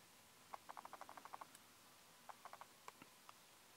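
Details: Black-winged Stilt (Himantopus himantopus) feeding at Mogan, Ankara, gives a quick run of about ten short, clipped mid-pitched notes in one second, then a few more spaced yaps against a quiet background.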